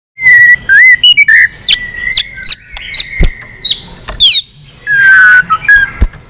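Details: Old wild-caught white-rumped shama in a singing contest, tail wagging: clear whistled notes and rising slurs mixed with sharp clicks and buzzy bursts, loud and varied, with short pauses between phrases.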